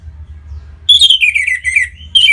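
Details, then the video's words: Song of an orange-headed thrush, played to stimulate other birds to sing: clear whistled phrases gliding downward in a string of warbling notes, ending with a fresh bright burst. "Punglor Merah Lagi Berkicau.. Untuk Pancingan Bunyi"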